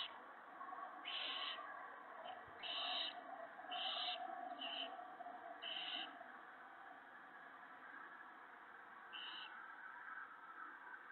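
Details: Owl family at a nest, 19 March 2017 evening, as food arrives for the mate and owlets; short raspy hissing screeches come in an uneven run, then a pause and one more, over a constant low hum.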